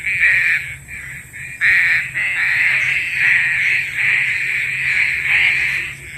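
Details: Lure call of a green pigeon for trapping: loud, almost continuous run of harsh, wavering notes at one pitch, broken by brief gaps, with a steady high electronic whine behind.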